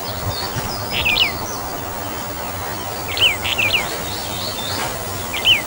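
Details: Brown bullfinch, Taiwan subspecies uchidae, giving soft phrases of two or three downslurred whistles roughly every two seconds, with faint chirps from other birds and steady background noise.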